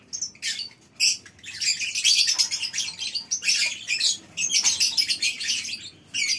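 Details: Morning lovebird colony aviary at a breeding farm: choppy bursts of shrill, high twittering and squeaks from a crowd of birds, separated by short quieter gaps.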